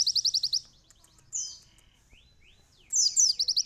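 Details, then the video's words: Sunbird song offered for canary tutoring: a fast rattling run of high notes, a pause, a single falling whistle and a few soft slurred notes, then another bright rapid trill. "asli suara burung kolibri isian"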